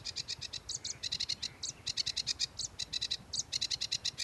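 Sedge warbler song: a fast, scratchy chatter of dry clicking notes with occasional harsher whistled phrases, pouring out without pause over a faint low hum.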